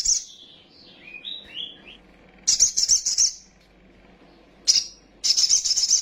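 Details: Sunbird singing in an agitated state, mixing short slurred whistled notes that dip and rise with repeated bursts of very high, rapid, sizzling twitter separated by brief silences.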